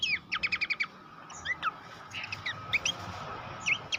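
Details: Horsfield's babbler song as a master recording for competition birds: an opening run of six evenly spaced sharp chirps, then scattered higher whistled slurs and squeaks over a soft hiss.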